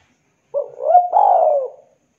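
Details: Spotted dove of the Java type, played as a lure to set quiet doves calling: one soft coo phrase rising through two hooked notes into a longer, slightly buzzy coo that slowly falls and fades, with clean silence around it.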